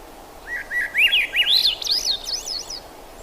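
A thrush sings a quick run of clear, warbled phrases that rise and zigzag in pitch over about two seconds, above a steady low hiss.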